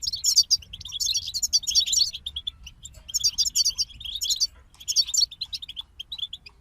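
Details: Several European goldfinches singing, with repeated bursts of fast, jangling high twitter mixed with rows of quick even chirps, pausing briefly between phrases.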